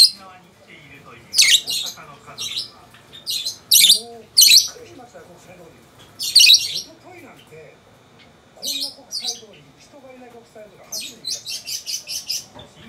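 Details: Two pet lovebirds, a peach-faced and a yellow-collared, exchange calls indoors. Shrill, scratchy shrieks come in irregular bursts, ending with a fast run of sharp chirps. A Japanese news voice talks steadily in the background.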